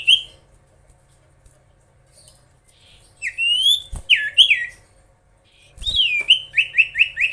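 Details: Common iora in full song, meant to provoke rival birds: scattered clear whistled notes with sharp downward and upward slurs, a quiet gap, then a run of four or five quick falling whistles near the end.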